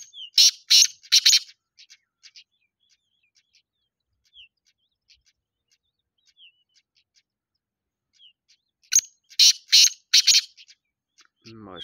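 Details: Black francolin giving two loud phrases of harsh, grating, buzzy bursts, three to four notes each, about eight seconds apart, with faint chips and short downslurred whistles between them and a low rumble at the end.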